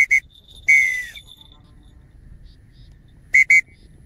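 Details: Dark-morph changeable hawk-eagle under falconry training: short high whistled notes, then a longer drawn-out note sliding downward, followed after a pause by two more clipped whistles; quiet low background hum.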